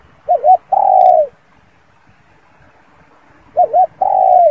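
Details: Spotted dove cooing clearly in two identical phrases, each a bouncing two-part note followed by a sustained, softly descending coo, in a near-silent setting.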